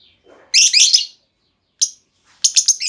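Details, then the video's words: Female lovebird calling to lure another lovebird into long trilling; a loud buzzy rattling burst of high chirps, a single sharp note, then a quick run of squeaky chirps. "Pancingan Burung Lovebird Betina! Bakal Langsung Respon Lovebird Segala Kondisi Auto Ngekek Panjang"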